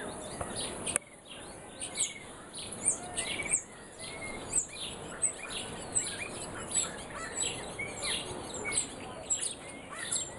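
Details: Morning birdsong: scattered chirps and short whistled notes from several birds over a dense, noisy background with a constant high insect-like hiss.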